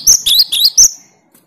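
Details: A short fragment of cinereous tit 'tembakan' song aimed at rivals: four loud, high, sliding two-part notes in just under a second, then quiet.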